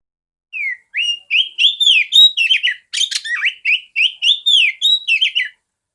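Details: Female oriental magpie-robin, a caged bird used to teach song to other magpie-robins, producing a steady phrase of arched whistles and buzzy chips, roughly three notes a second, with one harsh rasp midway.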